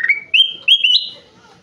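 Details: Gacor ruby-throated bulbul, known locally as kutilang emas, giving loud clear whistled phrases: a rising note sliding into a steady whistle, then two more rising whistles stepping up higher, with a quiet rumble behind.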